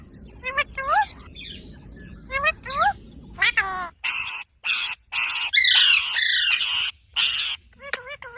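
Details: Parrot (Mitthu) making looping whistled chirps, then a loud series of broad harsh screeches, ending with rising whistled notes.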